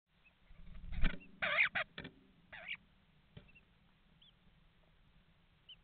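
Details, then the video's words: Common starlings at a nest box in Estonia, recorded by webcam at 7:42 on 11 May 2019, talking: a burst of harsh, rasping chatter with brief whistled notes, then faint scattered chirps over low rumbling. "starlings, they talk"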